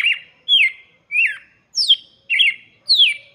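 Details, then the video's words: Red-cowled cardinal song meant for young birds, six quick ringing whistles in a brisk rhythm, each falling in pitch and ending in a slight buzz, against a clean, quiet background. "cantoria de galo de campina para Filhotes - canto do galo de campina"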